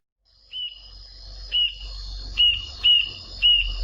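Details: Rufous-tailed Jacamar in the Brazilian Cerrado: a series of five clear, high, slightly upslurred whistled notes spaced about a second apart, with a faint steady high insect-like hiss behind.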